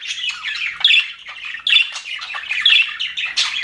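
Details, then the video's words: Aviary budgerigars, said to be happy, give quick squeaky chirps and scratchy warbled notes in uneven bursts, roughly one a second, some notes sharp and whistled, over continuous flock chatter. "HAPPY BUDGIES SOUNDS"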